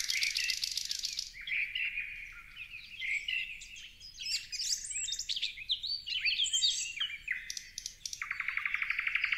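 Parrots chatter in quick, high chirps and squeaky notes, ending in a fast, even run of buzzy pulses, about four calls a second.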